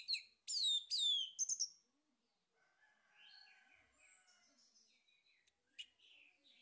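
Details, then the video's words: Male orange-headed thrush song used as a lure to stimulate singing. It opens with several loud, sharply descending whistled phrases, then drops to soft, rambling warbles with one brief louder note near the end. "PANCINGAN ANIS MERAH JANTAN PALING POPULER"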